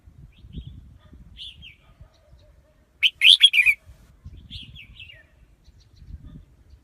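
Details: A loud, fast warbled burst from a red-whiskered bulbul mid-clip, with fainter distant bird notes before and after and low rumbling background noise throughout.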